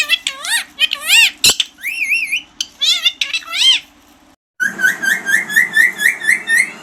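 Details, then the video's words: Talking green parrot squawking in fast wavering bursts, then a sharp click, a few drawn-out rising whistles, a brief break, and a steady string of short upswept chirps against low background hum. "Talking parrot# green parrots# bolane wala tota# bird voice"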